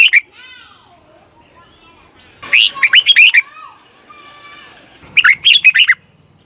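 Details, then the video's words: Red-whiskered bulbul singing in Thailand, for decoying or exciting caged birds. Short bursts of lively whistled notes repeat every two to three seconds, with faint gliding whistles from another bird between phrases. "เสียงนกกรงหัวจุก สำหรับต่อ หรือ เปิดให้นกคึก"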